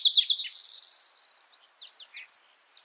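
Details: Spotted towhee song: a high, buzzy trill lasting about a second, followed by scattered thin chips and short notes, with no other clear sounds.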